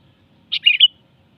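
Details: Sooty-headed bulbul giving one short melodious phrase: a sharp opening note, then a bubbly, slightly falling warble ending on a clear whistled note, lasting about half a second in otherwise quiet surroundings.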